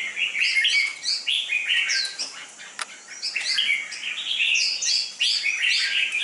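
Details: Red-whiskered bulbul kept for song competition, described as having a fierce fighting temperament: a dense stream of quick chirps and short bright whistled phrases, overlapping at times, with brief pauses and a sharp click near the middle.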